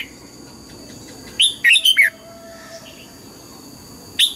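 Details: Red-whiskered bulbul singing at dawn in double-note (âm kép) style, an old bird caught from the wild and now voice-trained; a tight run of four bright, warbled notes, then a long pause and one sharp whistle, over a low hum.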